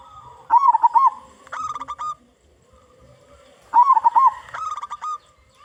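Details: Local zebra dove singing loudly, used as a lure for other zebra doves: bubbly, wavering cooing trill followed by a run of flat, resonant coo notes, the two-part phrase repeated after a pause of about a second.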